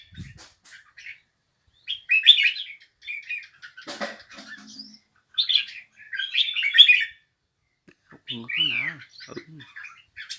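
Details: Sparse bulbul song: separate short bursts of squeaky, twittering notes spaced by silent gaps, with a brief rustle and a low wavering noise in between.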